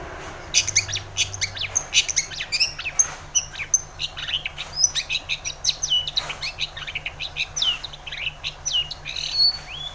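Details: Long-tailed shrike in full song, played to prompt a silent shrike to sing: a dense, rapid medley of sharp chirps, whistled notes and quick trills, high-pitched and varied, with steady low hum beneath.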